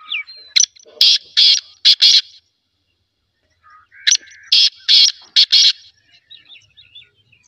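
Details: Black francolin calling twice, each a strident series of five harsh notes, with a silent gap between the phrases. Faint chirps of other birds close the sequence.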